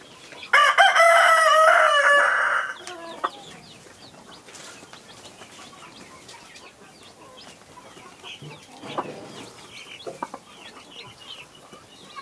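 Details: Farm hen with her baby chicks: a loud, harsh, harmonic squawk lasting about two seconds, then quiet, scattered high thin peeps from the chicks over a faint background.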